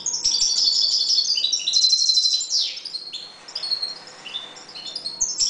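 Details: Calm caged European goldfinches breeding in a 1.20 m cage give a rapid high twittering song of tinkling notes and short trills, with one sweeping downward slur midway. Faint low clicks underneath.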